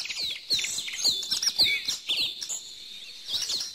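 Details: High-pitched chirps and sweeping whistles from several birds, delivered in quick bursts during the first half, then a thinner background twitter before a last chirp near the end.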